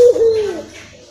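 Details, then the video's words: Barbary dove coo used as a lure for a rarely calling bird: a brief low note that slides down and fades away within half a second. "pancingan PUTER malas bunyi"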